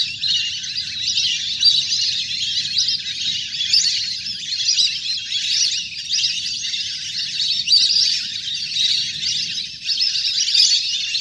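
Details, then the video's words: Flock of many ducks in nature, splashing in water, recorded for luring birds down; steady chorus of high whistled chirps and twitters rising and falling in loudness, low background rumble. "เสียงนกเป็ดน้ำ! ฝูงใหญ่เสียงคมชัดมาก"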